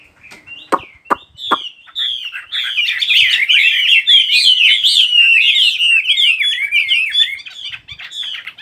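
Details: Songbird starting with a few sharp clicks and short chirps, then breaking into a long, rich, jumbled warble of rapid twitters and trills.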